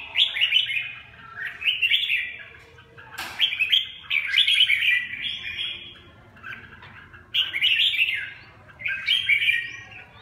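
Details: Red-whiskered bulbul song of the type called "rét 4": a series of loud, rich whistled phrases, each about a second long with a rolling up-and-down pattern, repeated at roughly two-second intervals, with a brief sharp click between them.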